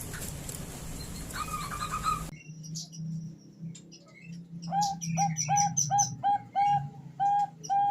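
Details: Calling female zebra dove of the Bangkok type summoning a male: after a noisy start, a steady series of short cooing notes about every half second, with faint higher chirps from other birds.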